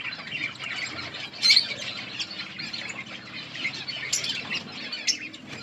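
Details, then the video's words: Budgerigars chirping in a colony: a dense, continuous chatter of high twittering notes with a few sharper squeaks standing out around the middle, many birds calling at once. "Budgies parrot chirping sounds in budgies colony"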